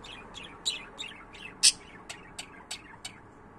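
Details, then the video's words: Pet budgerigars warbling indoors: a rapid series of short clicks, chirps and scratchy notes, about three per second, with one louder sharp squawk in the middle. "My Budgies 🦜 my love 💕"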